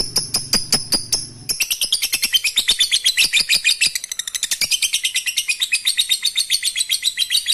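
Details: Lovebird song meant to trigger breeding: a few sharp high notes over a low hum, then a steady stream of rapid, grating chirps for six seconds.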